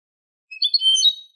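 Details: Goldfinch tutor recording in the Manolo style of Malaga for goldfinch and hybrid chicks: a single short liquid twittered phrase of under a second, with slightly buzzy, drawn-out notes, in an otherwise silent recording.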